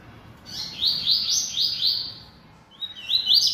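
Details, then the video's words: A string of short, high, downslurred buzzy notes in quick succession comes from a bold yellow-bellied seedeater, a coleiro-baiano, singing heavily. After a brief pause, a rising whistled phrase begins another strophe. "Coleiro Baiano Atrevido Cantando Muito"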